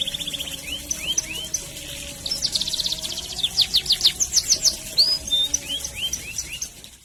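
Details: Canary singing a long rolled training song for young birds: a series of rising whistled slurs, then fast rattling trills and emphatic chirps repeated several times a second, with a soft low hum behind.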